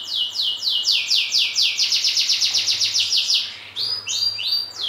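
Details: Well-kept domestic canary from a fine bloodline singing a long sustained song: a rapid even roll of descending high trilled notes, then a change to fuller, lower rolling phrases, over a faint low hum.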